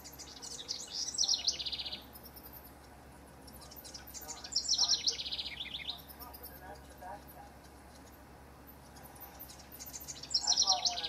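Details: Competing house wrens in June 2015 repeat a bubbly, rapid, downward-tumbling trill three times, roughly every four to five seconds, with a steady low hum behind.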